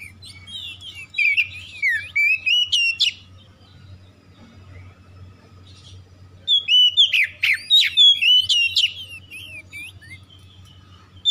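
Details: Lure recording of an Oriental magpie-robin singing to set other magpie-robins off: two rich bursts of twisting whistles and harsh notes separated by a few seconds of near silence, with a constant low electrical-sounding hum beneath.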